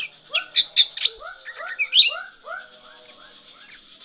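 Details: Oriental magpie-robin performing 'konslet' song: a quick run of sharp, high clicks and scratchy notes, a clear whistled note, then sparse high chips, with softer downcurved lower notes repeating in the background.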